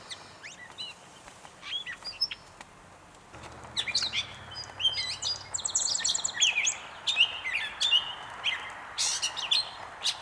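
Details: At North Tetagouche, New Brunswick, a gray catbird gives a few isolated squeaky notes, then launches into a dense, tumbling stream of mixed chirps, rasps and whistles that grows louder; a low rumble underlies the first half.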